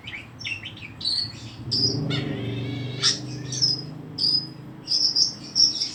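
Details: Long-tailed shrike singing vigorously: short high chirps and whistled notes in uneven bursts, some with buzzy broadband clicks, over a steady low hum and faint insect-like chirring.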